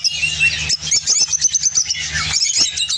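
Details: Singing opaline orange lovebird, labelled Spain: brief bursts of high twittering and sharp chirps with a short pause near the start, backed by a faint low drone.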